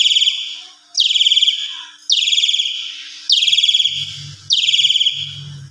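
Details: Asian pied starling lure sound meant to agitate other starlings: five loud rasping downslurred bursts roughly a second apart, a low hum joining near the end.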